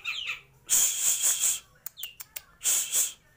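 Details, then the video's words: Cucak jenggot sebrang, the grey-cheeked bulbul, from Purbalingga: a short, faint whistled phrase, then loud bursts of rapid high chattering notes, a few sharp isolated clicks and a downslurred note, ending with another vigorous chattering burst. "Cucak jenggot sebrang, gacor dor"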